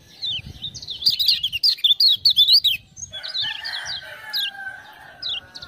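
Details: Lemon-bellied white-eye from Lombok, prompted by ciak-ciak sounds, delivers a fast run of high, wavering chirps about four per second. Scattered higher notes and a softer lower whistle follow.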